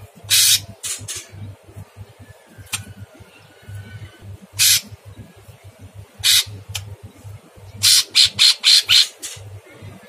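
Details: A sooty-headed bulbul, a training recording of very harsh song with long phrases, gives loud, rasping, broadband bursts in irregular clusters, quickest near the end, over a steady low electrical hum.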